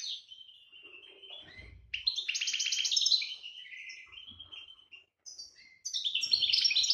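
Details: Goldfinch song in breeding season, 2018: sweet descending whistled notes lead into loud, fast, buzzy trilled phrases and tinkling twitters. A brief gap is followed by a renewed burst of high chattering notes.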